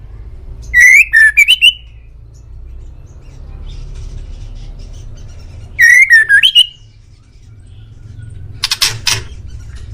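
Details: Master recording of a white-rumped shama for getting pet birds to answer. Two loud, rich whistled phrases roughly five seconds apart, each a quick rising-and-falling sequence, then a short harsh burst.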